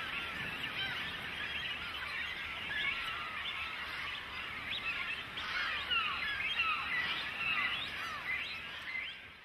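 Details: Young cormorants clamouring at their parents for food, a crowded mass of rising and falling squealing notes from many chicks at once, swelling and easing in loudness.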